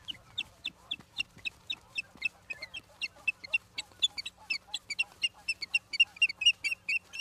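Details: Ospreys at the Charlo, Montana nest, live camera, 11 September 2023 at 16:04: continuous rapid chirping, around thirty sharp whistled notes that grow louder and denser toward the end.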